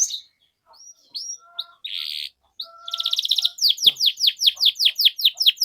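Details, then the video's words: Canary singing its lively cuit-cuit phrases, a lure for young learners. Scattered short chirps and a brief buzzy burst come first, then a steady row of ringing downslurred notes about twice per second. "PANCINGAN Kenari GACOR PANJANG Cuit CUIT Ini Ampuh Untuk MASTERAN PAUD Kenari Belajar BUNYI"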